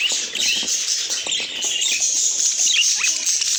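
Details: Pet budgies twittering in a busy, high-pitched chorus of squeaky chirps and brief rising whistles, overlapping without break, with light fluttering and rustling in the background.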